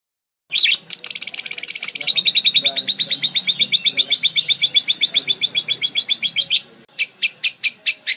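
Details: Varied budgerigar song meant for tutoring songbirds: a buzzy chatter grows into a long, fast trill of high pulsed notes lasting several seconds. A few separate sharp chirps close it.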